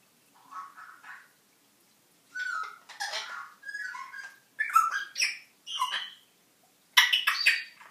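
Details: African grey parrot kept as a pet, talking and singing in the house: a string of short babbled speech-like phrases and whistles, mid-pitched and irregular, with brief pauses, louder squawky notes at the end.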